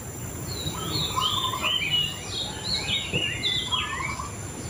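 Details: Continuous, melodious white-rumped shama song of overlapping rising and falling whistles and chattery trills, heard through steady background noise.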